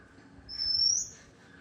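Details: Vannathi bird singing: a single thin, high whistled note that rises slightly and holds briefly, clear against quiet background hum.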